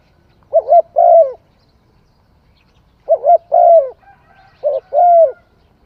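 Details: Three cooing phrases from a spotted dove, each a brief two-part note then a longer warm coo. Silence falls between the first two, and a faint high whistle precedes the last.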